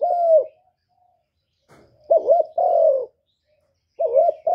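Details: Spotted dove cooing in repeated phrases. Each phrase is a short bubbling, wavering pair of notes followed by a longer, level, mellow coo. There are quiet gaps between phrases and a faint click in one pause.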